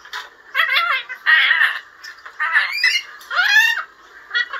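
A lorikeet gives about four short, speech-like phrases, nasal and wavering with rising and falling inflections, separated by brief pauses.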